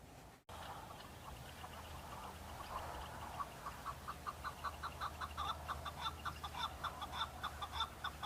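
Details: Male chukar partridges on Bamo mountain in breeding season, fighting and displaying to females; a steady run of rapid chuckling notes builds up and repeats about twice a second, with a low background hum.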